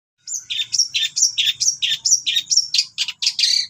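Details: Long-tailed shrike in vigorous song with cililin notes worked in, recorded for training other birds at night: a rapid, regular series of bright, high, two-part chirps, about three per second, in a quiet setting.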